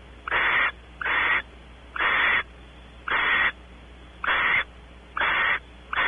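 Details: Barn owl pair at a nest cavity, Audubon Starr Ranch, California: male exploring inside, female expecting mating. Seven breathy, harsh screeches, each under half a second, repeat at uneven intervals of roughly one second.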